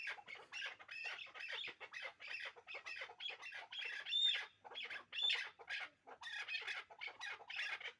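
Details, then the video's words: Hybrid chukar partridges, a kept pair, give a fast series of harsh, squawking chuck notes, roughly one per second but unevenly spaced, bright and scratchy with little low sound beneath. "Кабки Гибрид"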